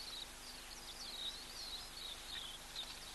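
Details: At a waterhole on 20 August 2023, oxpeckers give thin, high, hissing chatters in quick wavering runs over a steady outdoor hiss; some fly past the camera and may come down to drink.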